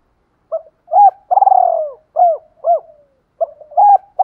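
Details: Spotted doves, male and female, giving decoy fighting coos used to provoke trained birds into answering: short hooked coo notes, then a long rolling pulsed coo falling in pitch, further clipped coos after a pause, clean background.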